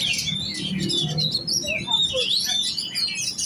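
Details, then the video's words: Kacer, the oriental magpie-robin, in competition-set giras song: rapid high whistles and slurred chirps over a low rumbling background. "Burung kacer giras set lomba kejar on ngunci"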